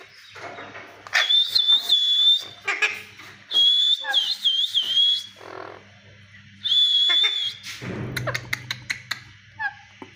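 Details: Alexandrine parakeets fighting let out drawn-out, quavering whistled screeches in three long bursts, with choppy harsh notes between them. A rapid series of sharp clicks follows near the end, over a low background hum.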